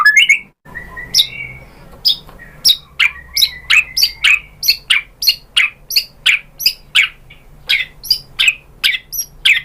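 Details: White-rumped shama song used as a lure to provoke other shamas into singing: a steady run of about twenty sharp, downward-slurred chipping notes, roughly three per second, with a brief higher whistle near the start.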